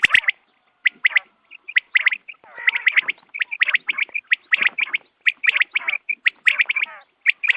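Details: Quail at dawn, recorded for hunting: dense, nearly continuous chattering and squawking with crisp clicks, many notes overlapping as if several birds call together.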